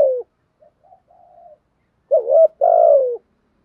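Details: Spotted dove giving a 'thúc' and 'gù' style coo: a brief low note, soft faint murmurs, then a loud two-part phrase, a wavering hoot followed by a longer falling coo. No other sounds.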